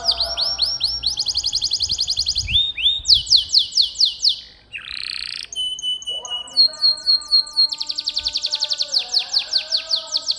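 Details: Canary singing a tutor song for training other canaries: rapid high trilled rolls repeated several times per second, a buzzy descending burst midway, then lower warbled notes under renewed fast trills.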